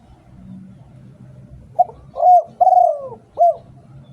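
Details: Decoy spotted dove from Thailand, cooing after a quiet start: a short note, a strong level coo, a long pulsed coo dropping in pitch, and a final arched coo, with a faint low hum beneath.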